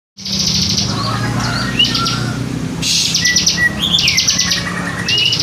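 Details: Bar-winged prinia (Prinia familiaris) song: loud, buzzy, cicada-like trills in rapid bursts, broken by short thin whistles, over a steady low hum.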